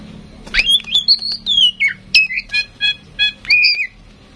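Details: Captive tame female oriental magpie-robin, used to encourage other birds to sing, gives a run of bright whistled notes. Rhythmic, repeated two-part chirps follow at a steady pace, ending in a rich warbled phrase.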